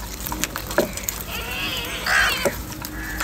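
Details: Crows fighting over food in the morning: one harsh, drawn-out caw with stacked harmonics rises above a busy background of sharp clicks and pecking noises, with fainter calls nearby.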